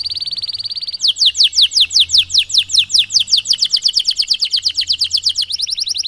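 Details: Canary in Cengkok Mewah style, a long song used as training for young canaries. A high steady buzzy trill gives way to a fast series of sharply descending whistled notes, repeated about three per second.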